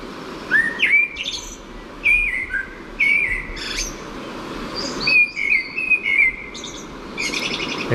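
A male blackbird sings rich, fluting, warbled phrases about every one to two seconds, each ending in a thin, high twitter, over a soft background hiss.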